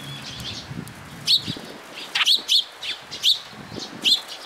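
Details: Several sparrows arriving at a post to be given food at a Tenmangu shrine, June 2022: sharp, high, clipped chirps repeated about once a second, mixed with soft wing flutters.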